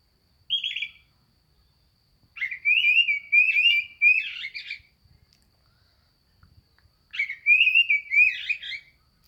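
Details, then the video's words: Oriental magpie-robin (kacer), described as a vigorous singer, delivering loud whistled warbling phrases that rise and twist. A short high note comes first, then two long rich runs separated by a few seconds of silence. "BURUNG KACER JAGO GACOR"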